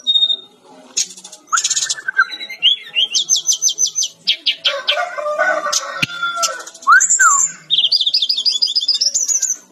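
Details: Training recording of a lively brown-chested jungle flycatcher: bursts of fast, evenly repeated high notes, rich lower warbling, hooked slurs, and a final high trilled run of zigzag notes.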